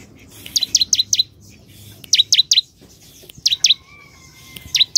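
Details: Bar-winged prinia (Prinia familiaris) singing actively: bright, sharp down-swept notes in quick bursts of three or four every second or two, with a faint thin whistle in the background.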